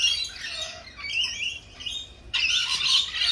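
Lorikeets give shrill, screechy squawks and chattering calls that overlap continuously, loudest in a harsh burst near the end.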